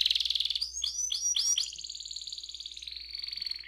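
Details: Rolling canary song meant to spur other canaries into singing: a rapid high trill, then three quick swooping notes, then a long, steady, slightly lower rolling trill that continues to the end.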